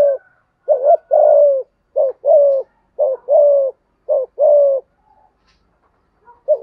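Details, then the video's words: Spotted dove, in the 'giọng thổ' and 'giọng hạp bổi' singing styles, delivers four quick couplets of a short coo and a longer mellow coo, roughly one per second. The couplets are followed by near silence and a final note. "cu gáy thúc gù giọng thổ cực đỉnh giọng hạp bổi"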